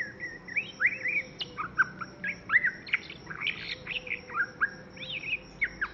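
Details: Young white-rumped shama singing a varied run of clear whistled phrases, rising and falling notes mixed with sharp chips and short rattles, delivered in quick succession with brief pauses; steady faint hum in the background.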